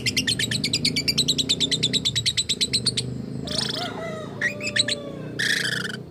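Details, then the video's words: Lovebird making strange sounds, said to imitate human speech: a fast run of sharp high chirps, about three a second, gives way to harsh raspy squawks and thin whistled notes, with a low hum underneath. "Burung Love Bird bersuara aneh"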